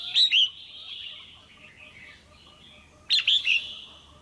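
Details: Two bursts of sharp chirps three seconds apart from a caged female red-whiskered bulbul calling for a mate or to stimulate a male, over a steady high background tone.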